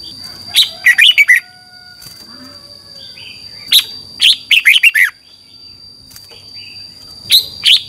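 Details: Red-whiskered bulbul from Thailand singing the 'double' song style used to train birds in phrase counting: three bursts of quick, bright chirping notes, each lasting about half a second to a second, separated by quiet pauses, over a steady faint high tone.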